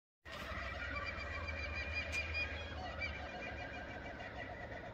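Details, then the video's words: Kookaburras in Australia in the morning cackle and chuckle in a dense, unbroken chorus of harsh, harmonic notes, with a low rumble underneath. "kookaburra birds singing in the morning"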